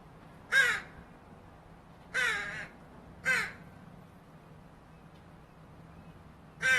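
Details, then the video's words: Fledgling Northwestern crow (Corvus caurinus), offscreen, gives four harsh, nasal, drawn-out begging caws at uneven intervals, begging for food, over a faint low background hum. "Interesting fledgling crow begging vocalizations (crow sounds)"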